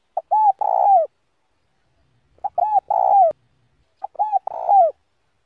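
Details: Slow 'giọng đồng' style spotted dove song, used to stir other doves: three phrases about two seconds apart, each a short clipped note, a rounded coo, then a long burry coo falling at the end.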